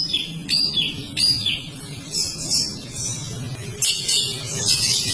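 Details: Long-tailed shrike in long, energetic song, used as a lure to set other birds singing: a dense, continuous run of varied high chattering and scratchy whistled phrases, with sharp clicks breaking in every second or so.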